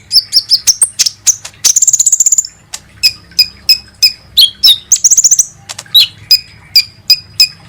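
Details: Sunbird known as kolibri ninja, lure recording to stimulate singing: lively high chirps broken by two fast buzzy trills, with downslurred whistles and evenly spaced sharp tweets throughout.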